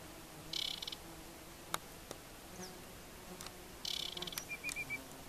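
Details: An Aquatic Warbler at the Chełm carbonate peat bogs, Poland, in July 2015 sings two dry, buzzy rattling phrases about three seconds apart, the second followed by a few short, clear whistled notes, over faint hiss.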